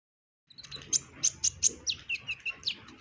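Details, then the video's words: Brown-throated ninja hummingbird singing in full form, with varied phrases; a rapid run of sharp, high chips followed by short descending whistled notes, about ten notes in under three seconds. "KONIN Kolibri Ninja DACOK Dada Coklat GACOR beragam tembakan || CHIRPING SOUND ||"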